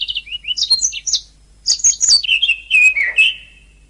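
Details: Canary song from a master recording used to train songbirds: rapid twittering phrases with high sweeping whistles, a brief pause, then a run of fast trilled and buzzy notes descending toward the end.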